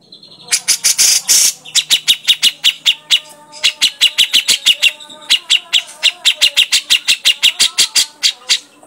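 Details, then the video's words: Grey-cheeked bulbul, lure recording meant to make birds call, giving a harsh rasp then a steady rapid stream of crisp high chips with brief gaps. "pancingan burung cucak jenggot"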